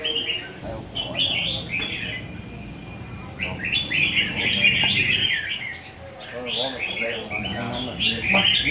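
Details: Red-whiskered bulbuls at a singing competition in Vietnam: bursts of quick, rich whistled warbling phrases, separated by short pauses, several birds overlapping, with occasional clicks and distant crowd noise.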